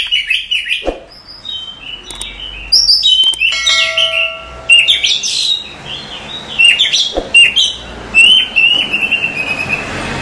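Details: Female Oriental magpie-robin calling a male at night, played as a lure to provoke a response: a varied run of sharp whistles, chirps and rising-falling notes, with a few steady thin tones in the middle and louder bursts toward the end.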